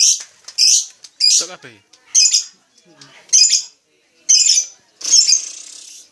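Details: Lovebird producing loud, piercing squeaky chirps in separate bursts about every second, with one lower, rough, descending note early on.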